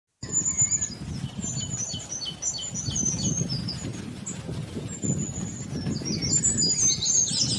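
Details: Black-throated bushtit, Aegithalos concinnus: thin, very high chirps and short downslurred notes in loose rapid series, several birds overlapping, over steady low rumbling background noise.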